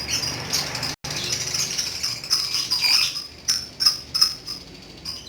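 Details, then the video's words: Lovebird, a pet bird, with dense high buzzy chattering that later breaks into separate sharp chirps spaced about a third of a second apart. "BURUNG LOVEBIRD TERAPI PANJANG UMUR ‼️GACHOR NGEKEK BIKIN ADEM"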